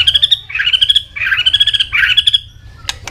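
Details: White-rumped shama, a fire shama in competition form, singing continuously while flicking its tail: rapid run of bright whistled and chattering notes in a dense three-second burst, ending with two sharp clicks.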